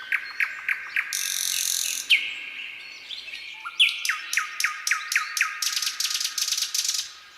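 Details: On a quiet summer night a nightingale gives rapid ticking notes, a dense buzzy trill, a slurred whistle, then a long accelerating series of sharp repeated chips.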